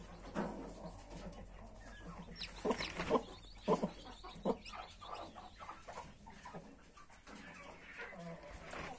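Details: Mother hen beside her 31 newborn chicks gives irregular soft clucks, a cluster of stronger ones in the middle, while thin high cheeping from the chicks runs faintly throughout.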